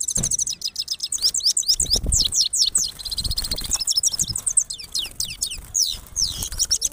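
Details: Himalayan goldfinch singing near a female as a pair: a fast, liquid, high-pitched twitter of tinkling, rapidly sliding notes, almost continuous, with a few soft low knocks beneath.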